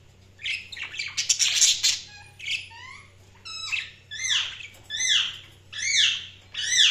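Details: Budgerigar chirps: a noisy flurry of squawks, then a series of clear down-slurred whistled chirps repeated roughly every second, each sweeping from high to lower pitch.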